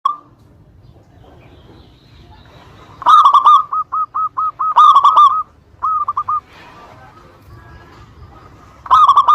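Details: Local zebra dove singing actively, used as a lure to provoke rival birds into answering: bursts of clipped, bubbling coos near one pitch, strung into rapid runs after a quiet opening, with short pauses between phrases.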